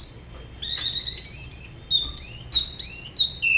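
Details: Spot-throated Babbler from Da Lat, Vietnam, singing solo in an unusual local style: a quick run of clear, high whistled notes, some slurred and rising, in short bursts over about three seconds.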